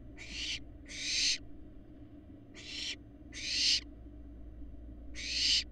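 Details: Florida barn owl fledglings, grown nearly to adult look, produce loud breathy hissing screeches, five bursts in under six seconds, each swelling then cutting off abruptly, with a faint steady hum underneath.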